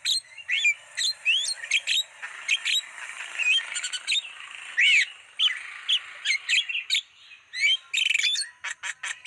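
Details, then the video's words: Black-winged starling lure song for wild birds: a continuous stream of quick chirps, whistled slurs and scratchy notes over a steady soft hiss. "Masteran Suara pancingan burung jalak kebo"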